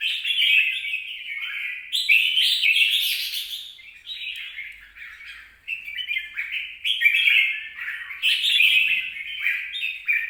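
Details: Red-whiskered bulbul, recorded 26 April 2022, delivering a continuous run of lively, stepped warbles and chirps, loud phrases alternating with softer ones over ten seconds.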